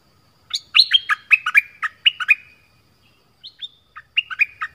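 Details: Southern-type Orange-headed thrush in song used to lure wild birds and train young birds: a fast string of varied rich notes, a pause, then a few thin high notes and another quick burst.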